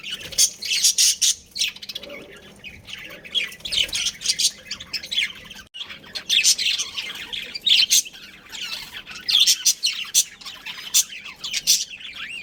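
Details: Breeding pair of budgerigars kept as a family group, giving dense, scratchy chirps and squawky chatter in rapid overlapping bursts throughout, with short pauses and a faint steady low hum beneath.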